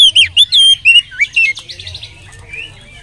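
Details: An Oriental magpie-robin sings as a lure for other magpie-robins: a few ringing, sliding whistles in quick succession that fade into soft, low-volume twittering.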